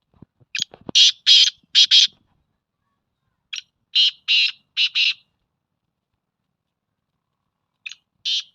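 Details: Black francolin calling: harsh, grating bursts of several notes in a rough rhythmic phrase, repeated with pauses of about two seconds between phrases; a few faint low knocks at the start.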